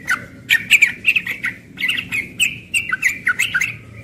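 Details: Morning song of a young yellow-vented bulbul in ropel style, dense and rapid: squeaky bubbling phrases, short rising and falling slurs and dry clicks packed tightly together, over little background noise.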